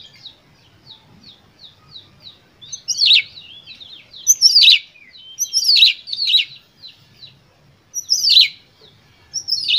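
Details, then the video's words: Emotional Oriental magpie-robin song used to provoke other birds: soft, quick ticking notes give way to loud, harsh, buzzy descending bursts repeated every second or so, with thin whistles between. "Pancingan Kacer Gacor Full Emosi"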